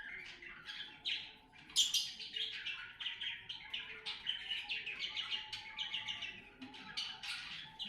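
Cockatiels give rapid, overlapping chirps and harsh squawks while mating.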